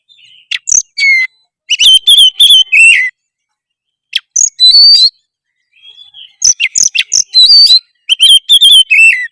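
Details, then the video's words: Magpie-robin singing steadily in 'gacor' style, meant to draw responses from other magpie-robins; clusters of bright whistled notes and quick chattering trills come in four separate bursts with short pauses between. "kacer apasana pasti respon denger suara kacer gacor satu ini"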